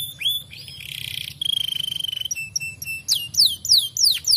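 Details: Fighter canary singing: a brief whistle, a buzzy rattling trill, short clipped notes, then a quick run of looping high swept phrases, with a constant low background hum.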